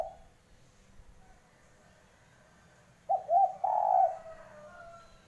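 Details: Spotted dove calling: the tail of an earlier coo, several seconds of quiet, then a low stuttered two-part note that runs into a drawn-out, mellow coo. The call fades into soft background hiss.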